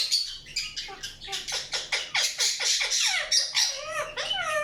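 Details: Chirping from an Indian ringneck parakeet, a rapid steady train of harsh squawky notes about four per second, ending in several bending, whistled calls.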